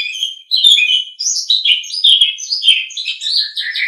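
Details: Continuous warbled chatter of an Asian pied starling, recorded for training cage birds, with overlapping whistled slurs and rough buzzy notes flowing without a break.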